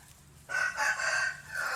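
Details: Crowing rooster: a sustained hoarse cock-a-doodle-doo starting abruptly, holding a strained, wavering tone for over a second, with a dip before a last drawn-out note.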